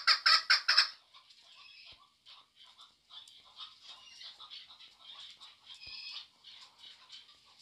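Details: Female chukar partridge calling: a loud burst of harsh, grating clucks opening the recording, followed by quieter, continuous scratchy chattering notes.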